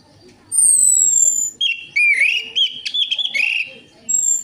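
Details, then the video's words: Orange-headed thrush lure recording meant to prompt a reluctant bird to sing: a long, pure, high whistle sliding slowly downward, then a rich run of warbled, chattering notes, ending with another high whistle. "DENGAN PANCINGAN ANIS MERAH AMPUH INI, ATASI SUSAH BUNYI ANIS MERAH"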